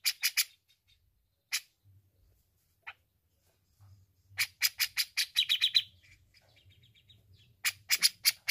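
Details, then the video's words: Grey-cheeked bulbul in lively, continuous song, used as a master recording for training birds: bursts of harsh, scratchy chattering notes in fast runs of three to eight, a brief buzzy tonal phrase midway, separated by near-silent pauses. "Suara Cucak Jenggot Gacor Untuk terapi jenggot Bahan"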